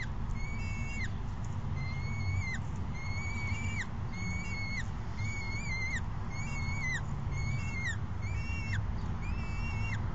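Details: Juvenile peregrine falcon bold and demanding, screaming for food after chasing its mother onto the perch, late May 2016: steady series of thin, drawn-out wailing screams, each ending in a downward slur, about one per second, over constant low rumble.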